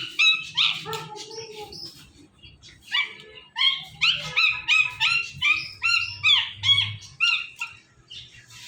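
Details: Pet Ringneck parrot saying its name and mimicking meows at its own image in a phone: a long run of bright, nasal, speech-like syllables in regular pulses, over a low background hum.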